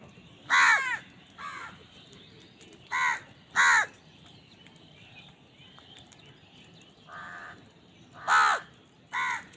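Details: Crows fighting over food while eating, giving about seven harsh, loud caws spaced irregularly over several seconds, some raspier and fainter, over a steady low background hum.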